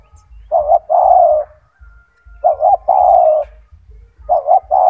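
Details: Loud, big-voiced gacor tekukur, a spotted dove used to tutor other doves, gives deep hollow coos: a quick two-part note followed by a drawn-out sinking coo, three phrases, with a faint thin steady tone between them.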